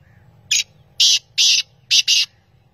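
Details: Black francolin (kala teetar) calling in Pakistan: a harsh, grating series of five rasping notes, a short opening note, a pause, two longer strident notes, then a quick closing pair, over a low background hum.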